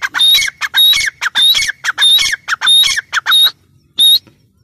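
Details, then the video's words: A grey francolin, known locally as teetar, gives rapid strident phrases, each a grating squawk capped by a sharp whistled note, repeated about every half second, then trails off into a final single phrase after a short gap. "Teetar ki awaaz | teetar ki boli | teetar awaz | gray francolin teetar sound"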